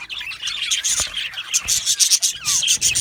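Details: Many cheerful budgies chatter in their aviary, high rasping tweets mixed with short sliding whistles and a few squawky notes, densely layered.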